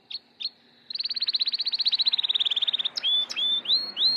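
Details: Gloster canary starting into breeding condition: two short chips, then a long steady trill of about thirty rapid repeated notes, ending in drawn-out rising whistles.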